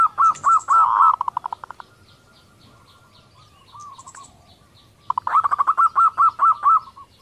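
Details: Female zebra dove calling to bring males into breeding condition, kerot style. A rapid series of short notes fades out, a soft low warble follows, then another even train of clipped, arched notes.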